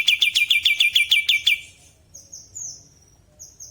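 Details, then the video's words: Bulbul in lively natural song: about eight loud, clipped chirps in quick even rhythm open the recording, followed by soft, high, sliding whistles in near silence. "Burung kapas tembak gacor suara alami"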